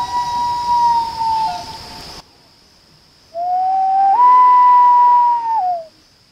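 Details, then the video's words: Common Loon giving two long, mournful wails in a short exchange with a person: the first holds a steady pitch and sags at the end, the second rises in a step, holds, then falls, over a faint steady hiss. "LOON CALLING CONVERSATION"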